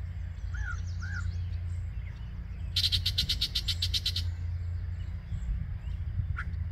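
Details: Yellow-breasted chat song at Osborn Metropark, Huron, Ohio, on a May 2023 morning: two short down-slurred whistles, a pause, then a loud dry rattle of about ten rapid clicks, and a single sharp note, with low background rumble.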